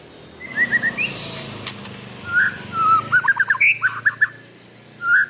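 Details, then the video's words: Caged white-rumped shama, kept with extra care and described as a prolific singer, delivering clear whistled phrases around the middle register, short rising and falling notes in quick runs, with a brief high buzzy burst near the end. "Burung Murai batu Gacor"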